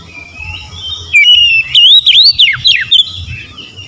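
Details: Oriental magpie-robin, konslet-style singer unloading isian material: a loud phrase of sharp whistled notes climbing and dipping in quick succession, with faint chirping before and after.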